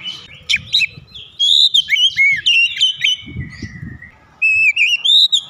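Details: Oriental magpie-robin singing loudly with beak open wide: sharp chirps leading into rapid rich whistled phrases, slurred and warbling, a short break, then another bright run, with low rumbling background noise.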